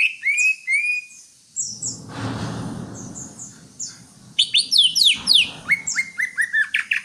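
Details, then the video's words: Greater green leafbird singing a fast, varied run of bright whistles and chirps, with a brief low rumble in the middle. "Suara burung Cucak Hijau"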